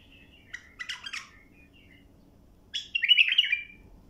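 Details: Bulbul singing as a tutor for young birds, with a few quiet whistled notes, then a brief burst of chatter and a louder, rising-then-falling warbled phrase near the end, set against faint low hum.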